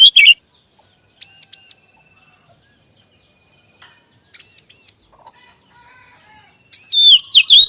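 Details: Magpie robin (kacer) pancingan song for established and juvenile birds: a brief whistle, paired high arched notes twice with gaps of silence, then a loud run of varied slurred whistles at the end.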